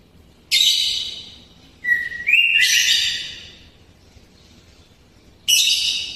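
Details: Greater green leafbird delivering its kapas tembak-style filler song in full voice: harsh, buzzy high bursts, then a short rising whistle into a loud, rasping chatter, and a final buzzy burst after a quiet gap.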